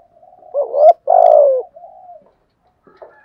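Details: Spotted dove, a wild bird, in a recording made to provoke a response: a loud cooing phrase with a rising coo, a strong sustained falling coo, then a softer trailing note, followed by a brief faint coo.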